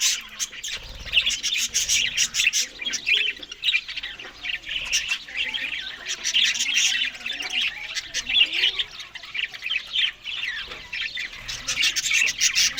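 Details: Budgerigars in the morning while eating green food; a steady, busy stream of scratchy squawks, warbles and quick chirps from several birds overlapping, with no clear pauses.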